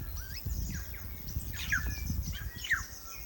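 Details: New Zealand's native bellbird (korimako) in forest: rising and falling liquid whistles with two sharp downward slurs, accompanied by low rumbling noise throughout.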